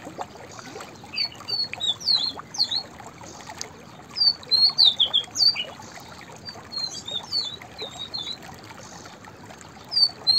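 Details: Repeated song phrases from a white-browed fantail: several bursts of high, sweet whistled notes rising and falling, each phrase a few seconds apart, over steady soft hiss.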